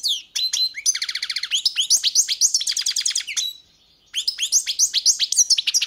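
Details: Goldfinch song with liquid twittering, then a fast, evenly repeated ladder of ringing notes. A second trilled series follows, a short silence, then a final burst of bright chirps.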